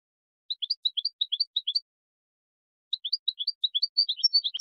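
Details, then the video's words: European goldfinch song, presented as a tutor recording for teaching young goldfinches: two bursts of rapid, high twittering notes, each phrase of quick chirps hopping up and down, separated by a silent pause. "Taghreed goldfinch in a very beautiful voice"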